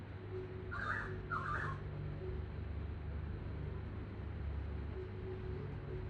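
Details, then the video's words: Pied currawong calling: two short, harsh, slightly rasping notes about half a second apart, then quiet, over a low steady background hum. "Pied Currawong Makes A Noise"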